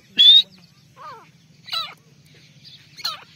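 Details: Partridge kept as a hunting decoy calling: a loud sharp upward note near the start, then three fainter, lower, wavering notes about every second, over a steady low hum.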